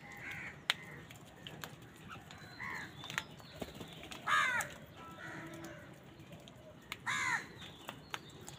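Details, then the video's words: A flock of crows on a winter morning, caught in scattered harsh caws, some near and loud, others faint and far off, with clicks and outdoor noise between. "Many Crows crowing sounds and noises on a winter morning"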